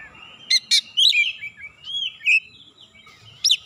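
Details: White-rumped shama singing at a rival, loud high sharp chips followed by long slurred whistles that rise and fall, then a final sharp burst, with faint low background noise.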